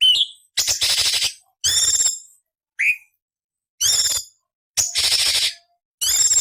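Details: Cucak cungkok harsh fill-in song meant for training songbirds: seven separate bursts roughly once a second, mostly dense scratchy rasps with layered high tones, plus a brief rising whistled note in between.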